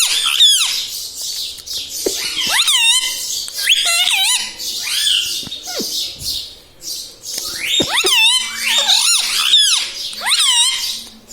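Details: Talking pet parrot, a green bird said to say mummy, papa and radhe radhe; loud, dense run of warbling, voice-like syllables and squeaky notes with rising and falling pitch, nearly continuous through the clip.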